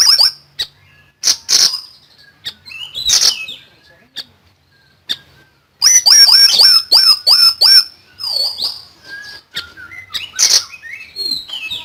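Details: Common iora in full, loud song for tutoring songbirds: scattered sharp chips and rasps, then a rapid run of about seven shrill downslurred notes, followed by buzzy warbles and gliding whistles.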